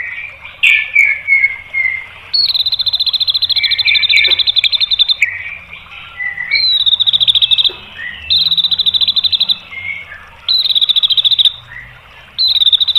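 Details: White-rumped shama song used to provoke other birds into singing: loud high whistled phrases alternating with rapid buzzy trills repeated in bursts, strong and continuous.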